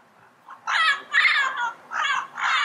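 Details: Yellow-headed amazon giving four loud, raspy, croaking squawks, rough and harmonically rich, spaced roughly half a second apart, with a quiet background.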